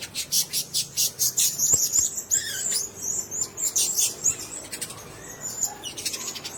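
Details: In a shared cage, blue-crowned hanging parrots make a rapid string of evenly spaced sharp high pulses, about eight in a row, followed by mixed shrill squeaks and chattering, with a few low knocks.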